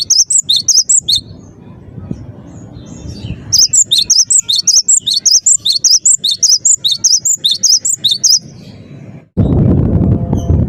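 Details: Persistent cinereous tit (gelatik batu) song: a short burst of high chirping whistles, a pause, then a long rapid run of repeated two-note phrases, ending with a loud rushing noise.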